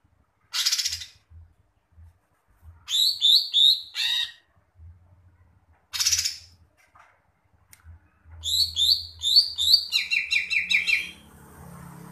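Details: Greater green leafbird in energetic song: harsh, buzzy high bursts, then clusters of sharp chirps and a fast descending trill near the end, with faint low rumbling underneath.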